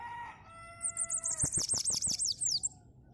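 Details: Bananaquit (sibite) of the cangaceiro song style, singing a lot: a high, rapid, sibilant run of wavy zigzag notes in a quick buzzy series. A rooster crows at the start, and low thumps sound underneath.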